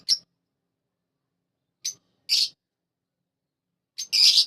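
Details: A happy budgerigar gives short, bright chirps in scattered bursts, some harsh and scratchy.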